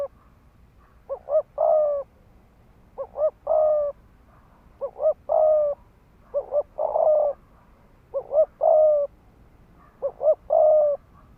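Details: Decoy spotted dove performing fast 'thúc gù' coos to rouse rival males: six repeated phrases, each two brief rising notes then a drawn-out steady coo, roughly every two seconds.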